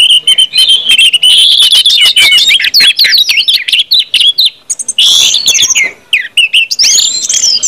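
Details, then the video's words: Orange-headed thrush singing in the full, continuous 'ngeplong' style, played to prompt other birds to start singing quickly; dense, rapid run of varied high whistles, slurred notes and chattering trills, nearly unbroken, with short pauses around five and six seconds. "KUMPULAN ANIS MERAH NGEPLONG BIKIN CEPAT BUNYI DAN GACOR ANIS MERAH"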